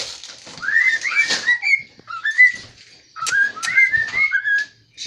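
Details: Cockatiel kept as a pet, whistling in the kitchen while attempting the Addams Family tune: bright upward-sliding whistles strung into two phrases separated by a short pause, light household noise behind.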